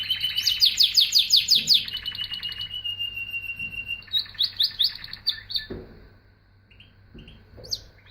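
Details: Canary singing: a fast rapid trill of repeated high notes around two seconds long, followed by a steady whistled tone and scattered chirps, with a soft low hum and a thump behind.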